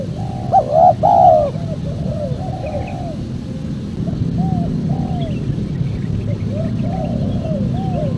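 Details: Spotted dove calls used as a lure to attract wild doves for trapping: a burst of loud, mellow, bending coos in the first second and a half, then softer repeated coo phrases over a steady low rumble.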